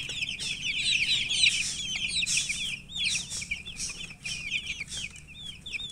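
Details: Loud peeping from newly born chicks: many shrill, downward-curving chirps crowd together at first, then thin into separate repeated peeps roughly twice a second.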